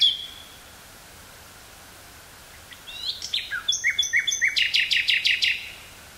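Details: Nightingale song from woods near Burgh-Haamstede in the Netherlands, recorded 18 May 1983 on a portable cassette recorder: a brief whistle, a pause, then varied notes building into a rapid, even series of about a dozen loud pulses.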